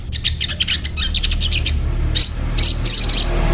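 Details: Sunbird giving rapid high chirps, a burst of dense, thin, repeated notes then several sharper 'cuet' chirps near the end, over a steady low hum.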